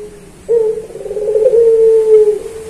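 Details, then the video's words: Barbary dove of the puter pelung type, kept as a cage bird; a training recording for songbirds. After a quiet start, one long low coo opens with a rough, rolling purr and settles into a steady, smooth hum lasting about two seconds. "Masteran Puter Pelung Manggung Atau Berbunyi"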